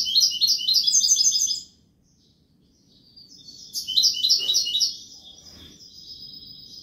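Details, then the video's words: Málaga copla song of a European goldfinch in two loud phrases of rapid, liquid twittering and buzzy trills, separated by about two seconds of near silence. Quieter chattering trails off after the second phrase. "تغريد الحسون كوبية ملقا canto chardonnert"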